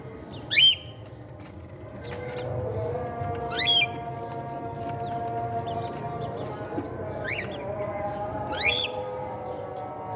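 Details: Young cockatiels at meal time make four scattered, shrill upswept squawks with layered overtones, each a fraction of a second long, while a soft hum and faint tonal background sounds run underneath.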